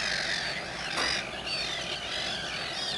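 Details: A busy chorus of common terns at RSPB Saltholme on 17 July 2012, with harsh, grating, high-pitched calls and sharp slurred notes overlapping constantly, like a noisy colony.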